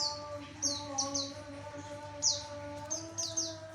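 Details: Javan white-eye singing to lure males: quick high chirps sweeping down, often in pairs, repeated irregularly about once a second over a steady low tonal hum.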